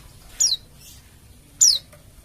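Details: Oriental white-eye of the Bali dakun type, played to prompt other white-eyes to start singing. Two sharp, high descending whistles about a second apart, each brief and clean against near silence.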